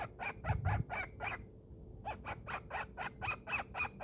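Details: Male pet cockatiel playing in his cave, indoors: harsh, scratchy chirps repeated about four times a second, pausing briefly midway, then resuming in an even series, recorded at low level with a thump of handling early on.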